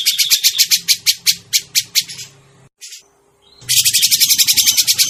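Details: Grey-cheeked bulbul call used as a trapping lure: a rhythmic run of scratchy notes, about four per second, a brief silence, then another fast rasping chatter, with a low drone beneath.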